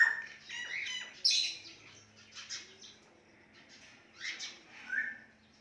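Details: Talking Indian ringneck parakeet making cute noises and bird calls indoors: a mix of squawks, chirps and chattering notes, a loud squawk near the middle, then softer bursts toward the end.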